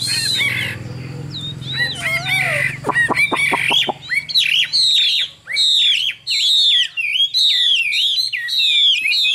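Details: Caged Chinese hwamei from Vietnam, described as a strong singer with a fine voice: scratchy notes and sharp clicks at first, then loud, rich whistled phrases swooping up and down, repeated in quick bursts with brief pauses.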